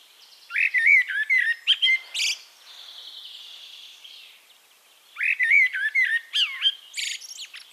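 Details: Eurasian blackbird singing in Castricum, the Netherlands, two flowing fluted phrases each finished with a burst of high twittering, separated by a gap with faint hissing background.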